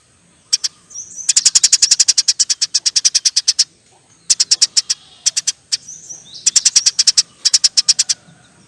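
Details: House sparrow giving a long, lively chattering call, the nyerecet: harsh, rapid clicking notes about ten per second, in bursts of two to three seconds broken by short pauses.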